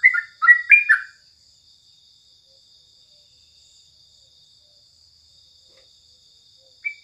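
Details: Morning song of a crucukan, the sooty-headed bulbul: a brief burst of four or five clear whistled notes at the start, then quiet with a faint steady high tone, and one more whistled note at the very end.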